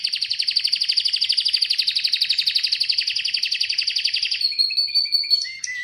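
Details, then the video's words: Atlantic canary giving a fast, even trill of repeated high notes for about four seconds, then shifting to clear, sustained whistled tones that step down in pitch. "Atlantic Canary sings in an amazing voice"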